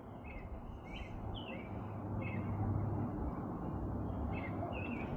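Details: A male American robin sings faint, short caroling evening-song phrases, several a second, calling for a mate over distant traffic rumble; Minnesota, USA, April 10, 2026, and the owner suspects he will nest under an awning.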